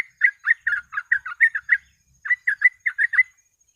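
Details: Sooty-headed bulbul, lively 'gacor ropel' singing for tutoring and luring: a burst of about nine quick, slurred notes, a short silence, then six more in quick succession.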